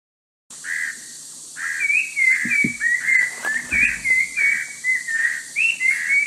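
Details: Orange-breasted laughingthrush, a bird endemic to the Langbian Plateau of southern Vietnam. It gives a run of short whistled notes, some slurred upward and some flat, about three per second, over a steady high hiss and a few low thumps.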